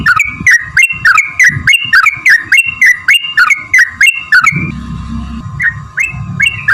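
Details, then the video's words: Sooty-headed bulbul song used to goad other birds into singing: a regular train of sharp, looping whistled notes about three a second, then slower notes over a rumble, a faint constant hum throughout. "trucukan gacor TARUNG ROPEL PANJANG pancingan trucukan agar bunyi jadikan burung trucuk NYAUT gacor"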